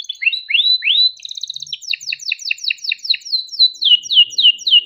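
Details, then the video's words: Caged domestic canary in a long, lively song used to prompt other canaries to sing: sweeping upslurred whistles, then a fast rolling trill of clipped notes and a run of rapid descending chirps, high and bright throughout. "Kenari gacor cuit cuit ngerol untuk pancingan kenari biar gacor"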